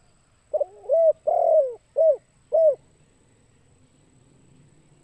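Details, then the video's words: Low, mellow cooing of a spotted dove, a call used to lure other birds: a single phrase opening with a soft rolling coo, then a longer swelling coo and two short clipped ones, followed by quiet background hum. "Suara Burung Tekukur Bikin Pikat Bahan Ikut Gacor"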